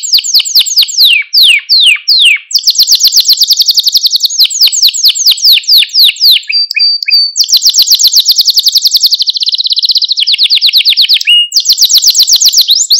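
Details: Long continuous song of a male Maltese canary, used to stimulate other canaries, moving through many fast high trills and rolls of sweeping notes with hardly a break.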